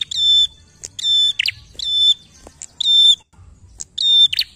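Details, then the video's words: Prinia song meant to encourage other birds to sing: steady high whistled notes, each closed by a harsh buzzy chip, repeating roughly once a second. "PRENJAK GACOR untuk pancingan bunyi prenjak bahan"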